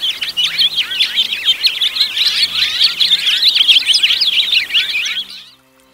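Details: House finch song: rapid, tumbling series of twittery chirps and downslurred notes for about five seconds, then the sound stops abruptly and silence follows.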